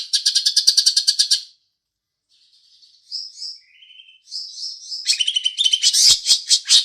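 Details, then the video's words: Green leafbird singing house sparrow imitations: a fast chirping burst, a pause with soft thin notes and short whistles, then dense sparrow-like chattering chirps resume. "Cucak Ijo Isian Burung Gereja"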